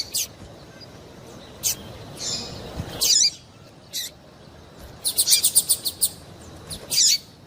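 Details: High chirps and a rapid rattle of thin ticking notes from a female double-collared seedeater, used to stir the male into singing, with brief pauses between the bursts.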